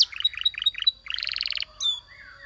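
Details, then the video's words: Belgian canary giving short chirped note groups that step upward, then a quick buzzy rattle of repeated notes, followed by a single high whistled slur and a soft lower tone. "The Sound Of The Belgian Canary Tempts Your Canary To Sing"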